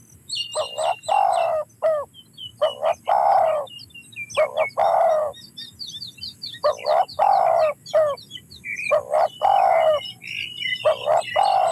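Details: Repeated Spotted dove coo phrases, short notes then a drawn-out coo, coming steadily one after another, while small birds chirp and twitter thinly and high above throughout.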